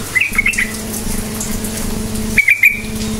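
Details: Lively yellow-vented bulbul lure song used to make quiet bulbuls answer: a quick cluster of bright chirping notes, a long pause, then another short burst, against a constant droning hum.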